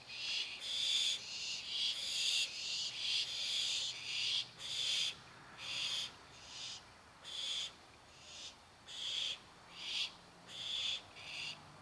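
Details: Begging barn owl chicks waiting for their dinner: loud, rapid run of harsh snoring hisses, more than one per second, overlapping at first, then spaced and steady.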